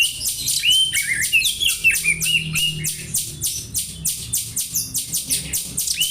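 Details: Oriental magpie-robin copying house sparrow chirps for tutoring: a rapid train of short high chirps repeating roughly every half second, mixed with a few lower sliding whistles.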